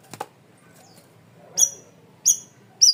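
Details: Cream-vented bulbul, called cucak rawis, in a masteran training recording: a brief soft rustle, then three separate piercing high whistled notes spaced about half a second apart.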